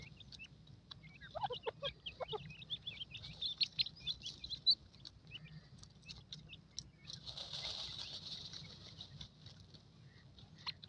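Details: Young francolin chicks playing in the jungle give a scatter of thin, high peeping chirps in short irregular bursts, with a brief rush of rustling or wing-flutter partway through.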